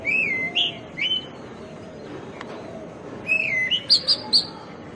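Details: Oriental magpie robin, the doel of rural Bengal, giving rich whistled song phrases. Slurred notes sweep down then up, with a pause before a fresh burst that ends in quick high chips.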